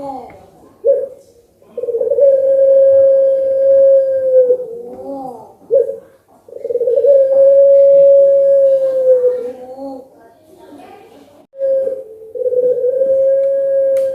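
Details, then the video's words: Competition-class puter pelung dove answering a lure recording. Three long, sustained hollow hoots, each several seconds long, separated by short rising and wavering coo phrases. "pancingan biar gacor burung Anggungan puter pelung. langsung nyaut"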